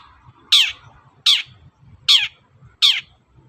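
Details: Morning calling of a long-tailed shrike, meant to provoke other birds into answering. Four grating, downward-sliding harsh notes follow each other about every three-quarters of a second over quiet low noise.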